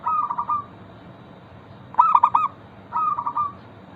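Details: Local zebra dove singing as a lure for other zebra doves. Three cooing phrases: a rolling purr, a louder burst of sharp stuttered notes after a pause, then another rolling trill. Steady faint hiss underneath.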